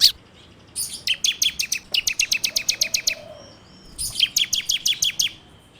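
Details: Bar-winged prinia (ciblek) song recorded on an Android phone, used as a lure for training birds: sharp high chirps in rapid repeated series, two bursts separated by a short pause, with faint low background hiss.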